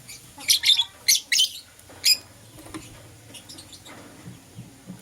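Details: Pet lovebirds, a green personata and a yellow pastel pied, chirping in the morning: several sharp, high, buzzy chirps in a quick burst early on, then quieter scattered ticks and a low steady hum.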